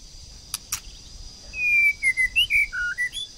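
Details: A female white-rumped shama, kept to provoke a male into fighting song, gives a quick run of clear, varied whistled notes after two sharp clicks, over a steady high hiss.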